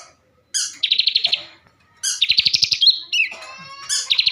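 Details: Bar-winged prinia, a captive bird from Tegal, Central Java, gives rapid pulsed trills after a sharp high opening note, followed by thin whistled slurs and a sustained clear tone.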